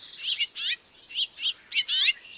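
House finch calls: five or six short, bright chirps at irregular intervals, some slightly buzzy or warbled, high-pitched and clear against faint background hiss.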